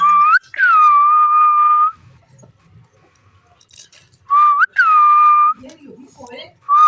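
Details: A playful green parrot interacts with its owner, repeating loud, steady whistles. Each starts with a short upward flick and holds a level pitch for about a second, with quiet gaps and faint rustling between.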